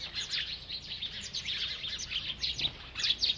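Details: Feeding bird chirping continuously: dense, high, slightly buzzy twitters and quick chirps running together, loudest near the end.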